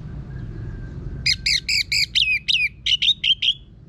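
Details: Orange-headed thrush (Anis Merah, Geokichla citrina) in full rough-voiced song, used as a lure to spur other birds to sing: after a second of low hum, ten loud, harsh hooked notes burst out in quick, evenly spaced succession.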